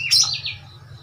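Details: Oriental magpie-robin, a wild bird now caged in Thailand, giving one brief high whistled note that slides downward, over a low background hum.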